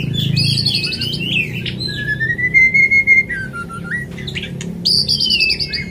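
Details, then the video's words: White-rumped shama singing as a lure to get other shamas singing: clear whistled phrases, a long level whistle, a falling slur, then bright high warbled notes, over low background rumble. "pancingan murai supaya suara nya gacor"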